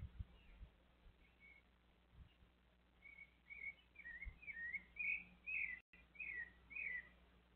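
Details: Thrush visited by a little monkey: after a few seconds of near quiet and soft thuds, a quickening series of clear whistled, down-slurred notes runs for about four seconds, with a brief dropout near the end.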